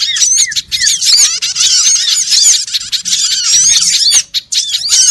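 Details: Lure recording of small birds for trapping: rapid, overlapping high chirps and down-curving whistled notes in dense bursts, with a few brief pauses between clusters of excited calling.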